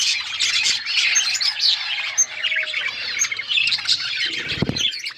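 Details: Budgies in an outdoor aviary, described as wild, chattering nonstop: thick high warbles, chirps and short squawks, with a brief low knock near the end.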